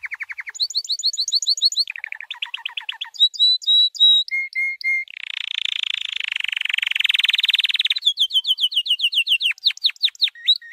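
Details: A white canary delivers training song in varied tours: rapid clipped trills, sustained whistled notes at several pitches, a loud buzzing roll, then quick repeated descending sweeps.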